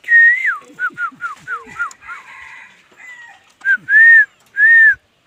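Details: Laughingthrush singing: a rapid run of short, downslurred whistles, a quieter pause, then two long, loud, steady whistled notes about half a second apart.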